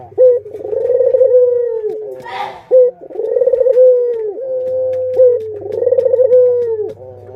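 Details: Barbary doves, parent and chicks kept as pets, give three rolling coo phrases: pulsed throbbing openings and long held endings. A short rustling noise intrudes midway, and a steady low hum continues.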